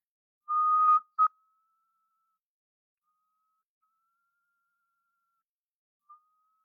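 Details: Great Tinamou calling in Soberanía National Park forest, Panama, typically heard early morning or late afternoon: pure mellow whistles, a strong note and short second note, then faint long slightly rising tones and a brief upslur.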